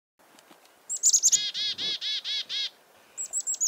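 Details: Chickadee alarm calls given because of a nearby goshawk, on a farm in February 2021: a few thin, very high chick-a notes lead into six evenly spaced, harsh buzzy dee notes, then more high short notes at the end.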